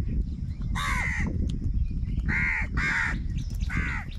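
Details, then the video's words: Very loud harsh cawing from crows competing for food, four strong caws spread across a few seconds over heavy low rumbling background noise. "Angry kauwa ki awaaz | Very loud voice of crow sound | Crow bird Fight for Food"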